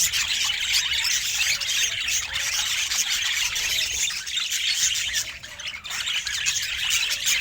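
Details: Budgerigar at home, said to look very happy: continuous, fast high chirping and warbled chatter, evenly loud with scattered squeaks.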